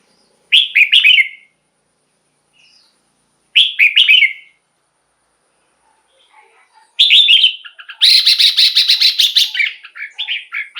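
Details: Red-whiskered bulbul song meant to excite caged birds: two short identical bubbling phrases three seconds apart, then a longer phrase leading into a loud rapid buzzy rattle and trailing warbles.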